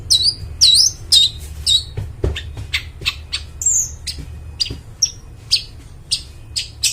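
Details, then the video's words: Long-tailed shrike in vigorous song, used as a lure for forest birds: a few clear whistled notes with looping and falling shapes, then a run of short harsh scratchy bursts at uneven intervals, over a low steady hum. "cendet gacor, suara plong bening cocok buat pikat burung dihutan"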